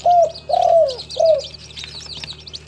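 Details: Captive local spotted dove from Timika, Papua, cooing a mellow three-note phrase, the middle note drawn out and sliding downward, while other small birds twitter and chirp in the background.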